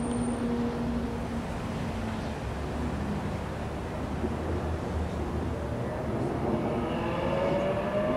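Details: Steady wind and engine rumble fill the recording, with faint low droning tones and no clear animal voice.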